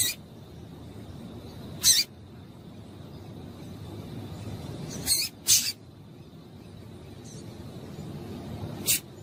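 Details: A female double-collared seedeater gives calls meant to excite males. Five brief, high, clicky chips come at irregular intervals over about nine seconds, two of them close together, against faint background noise.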